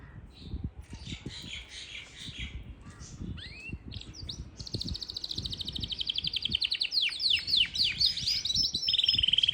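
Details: Yorkshire canary singing in Parachinar: scattered chirps and short rising whistles at first, then a loud, fast rattling trill of high notes that grows stronger and ends on a steady buzzy tone.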